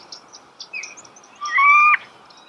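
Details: Starling close to the recorder: a few faint high chips, then one loud steady whistle with a strong overtone, held for about half a second.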